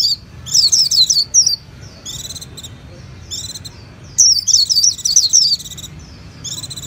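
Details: Japanese white-eye mixing tinkling high twitters with short buzzy trills in several bursts, with a steady low background noise underneath.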